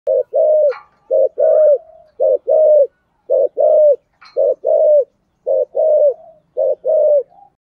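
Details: Spotted dove singing in the 'giọng thổ' cooing style: low, mellow paired coos, each ending in a drawn-out falling note, repeated in steady phrases about once a second, with a few faint higher chirps between phrases.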